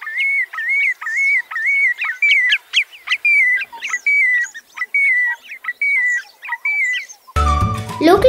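Marsh Sandpiper giving a steady series of clear, high whistled notes, about one and a half per second, before music cuts in at the end.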